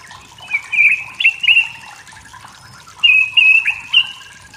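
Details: Wild forest white-rumped shama singing to provoke rivals, giving short bright whistled notes in two separate bursts over a faint background hiss.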